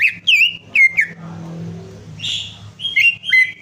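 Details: Lure song of a greater green leafbird for a bird that has gone quiet: two ringing whistled notes, a pause with a soft buzzy note, then more clear whistles. A steady low hum plays throughout.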